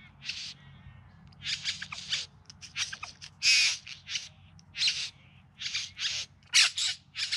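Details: Bowerbird courtship song recorded in September 2020 in the Yarra Valley near Melbourne: irregular run of loud, hoarse, buzzy notes, some doubled, spaced by brief pauses across several seconds.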